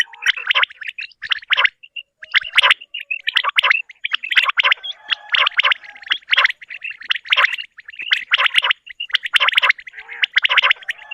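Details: Quail give morning calls of harsh, buzzy, chattering bursts of several quick notes, about one burst every second, with softer clucks between them; the recording is meant for quail hunting.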